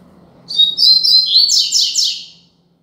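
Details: A double-collared seedeater delivers the Braddock-type 'Tui Tui Zel Zel' song used as a lesson for young birds. High sustained whistles slide into loud repeated buzzy trill notes. A faint crackle and a low hum sound in the background.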